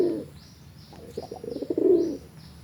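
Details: Domestic pigeons, a dark sireng bird versus a pied brontok bird, cooing in the bekur or ngorok (snoring) style: a quiet low coo, then a quickening run of throaty pulses that swells into a long, deep, rolling coo. Faint high chirping behind.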